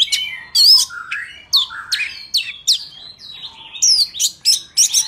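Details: Forest-voice singing by an Oriental magpie-robin, meant for trapping and for teaching young birds: varied loud phrases of upslurred and downslurred whistles, clear high notes and brief chattery bits, spaced irregularly against a quiet background.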